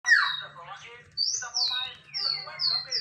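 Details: Male white-rumped shama singing vigorously: a loud buzzy rising phrase, then a pause and high clear whistled notes sweeping down, repeated several times over a steady low hum.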